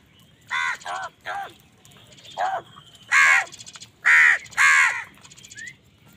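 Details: A run of harsh, rasping caws from crows fighting other wild birds for food, several short calls then three longer, louder ones in quick succession, with a brief high chirp at the end.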